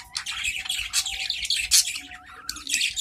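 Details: Caged adult budgerigars singing back and forth in a continuous, busy warble of squeaky chirps, clicks and harsh squawky notes, with a faint steady mid-pitched hum underneath.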